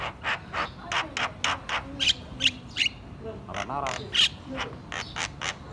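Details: White-eyed Javan myna chattering loudly: a run of harsh, broadband squawks and rasping notes, about three per second, some with sharp metallic clicks, a quick wavering note near the middle, faint background noise.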